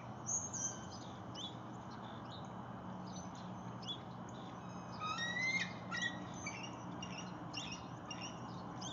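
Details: Adult bald eagle calling after catching a fish at Lake Murray, 19 January 2022, with a juvenile approaching in hope of food. Sharp, high chirping notes in quick repeated series, loudest midway, over a steady background rush.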